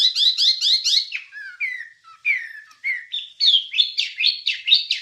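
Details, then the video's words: Wambie song recorded as a master track for training songbirds: rapid bright chirps and sweeping whistles, then lower slurred notes and repeated high buzzy phrases in quick succession; no other sounds. "Ocehan Suara Burung Wambie"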